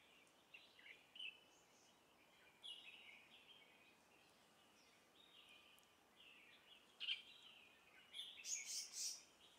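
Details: Female verditer flycatcher (Eumyias thalassinus) in Hong Kong calling: soft, high, thin chirps at irregular intervals, ending in a louder sharp burst, over a steady hiss of background noise.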